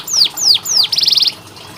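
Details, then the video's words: Canary tutor song meant as therapy for canaries that will not sing: three bright descending whistled sweeps followed by a rapid trill of about eight even pulses, fading out. "KENARI malas bunyi, Terapi untuk kenari masteran canary"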